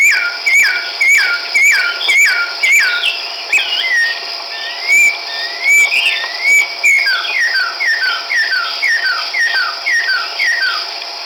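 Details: Chestnut-backed laughingthrush, a resident breeder, recorded 17 March 2010 in Kachin State, Myanmar: clear whistled notes slurring downward, repeated about twice a second, then a warbled phrase, then the series resumes over a steady high insect drone.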